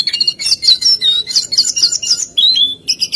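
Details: Jongkangan song of rapid high chirps and twitters, ending in a pair of longer clear whistles that slide down in pitch.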